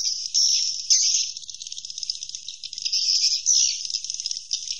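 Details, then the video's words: Swiftlet roosting call: dense, high, shimmering twitter of rapid chirps with bright whistled accents, swelling and fading in bursts, with no other sounds. "Suara Inap Walet Terbaik"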